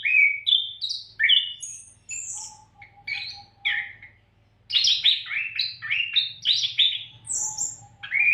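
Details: Nonstop song of an Oriental magpie-robin meant to train other songbirds: varied whistled phrases, downslurred notes and high squeaky notes, a brief silence midway, then a dense burst of rapid warbling.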